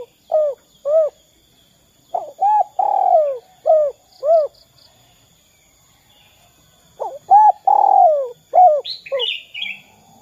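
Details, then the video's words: Spotted dove using the 'kuk 2' pattern, played to coax other doves into calling: two isolated hoots, a phrase with a long gliding coo, a silent stretch, then another phrase and high twittering at the close. "Suara Derkuku kuk 2"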